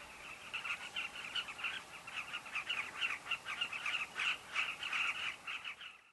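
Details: Steady chatter of a carmine bee-eater colony at Kavinga Safari Camp: numerous birds giving rough, rolling call notes in rapid, uneven succession, swelling and easing before fading out.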